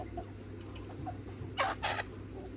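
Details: Chickens, a free-range red rooster flock with hens on a farm: soft clucks, then two loud, harsh squawking bursts close together, over a low steady hum.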